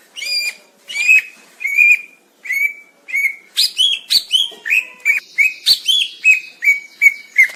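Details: Steady, clear whistled notes from a greater green leafbird, about one each half-second, then a faster rhythmic run of sharp chirps mixed with whistles; used as a master training recording.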